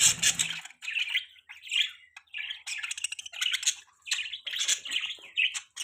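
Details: Budgies chirping in repeated scratchy, squawky warbled phrases about every half second, lively and continuous, with a brief low rumble at the start.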